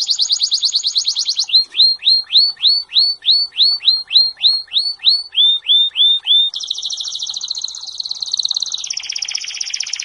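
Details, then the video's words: Serinus canaria singing training song: a rapid high roll, then a run of clear up-curving whistles repeated evenly, then steady bubbling trills at different pitches. "Bird song | Canary singing| training bird | best canary | Serinus canaria"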